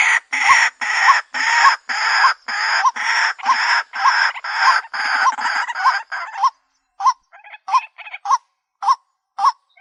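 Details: White-breasted waterhen lure call: harsh, croaking notes repeated almost twice a second, each carrying a short rising tone, in a steady run that thins into spaced single calls near the end.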